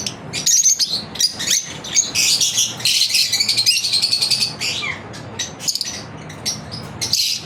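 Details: Lovebirds chirping in a daily routine, irregular bursts of piercing chirps and twittering chatter, roughly eighty notes a minute, with short lulls between outbursts.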